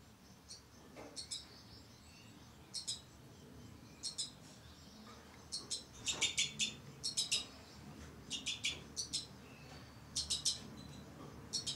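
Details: Two-barred crossbills, a breeding pair kept with their young, 2012: repeated clusters of two to four sharp, high, metallic chips, coming every second or so across the recording over low background noise.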